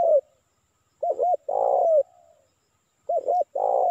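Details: Wild-bird lure call of a spotted dove: the tail of one phrase, then two full phrases, each a pair of short looping notes and a long buzzy coo that droops at the end.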